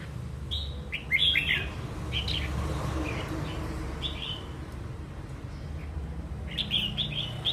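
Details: Wild-caught red-whiskered bulbul, described as a frequent singer, gives short clear whistled phrases in bursts: a cluster near the start, scattered notes midway, and a quick run at the end, over a steady low hum.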